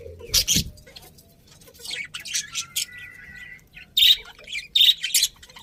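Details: Budgies giving harsh squawks and scratchy chirps with a brief, thin, level whistle in the middle, calls spaced irregularly.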